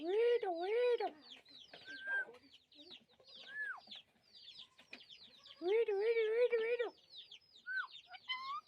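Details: Rose-ringed parakeets chirping: wavering, nasal harmonic squawks rising and falling in long phrases, interspersed with short sharp upslurred chirps and quieter chatter.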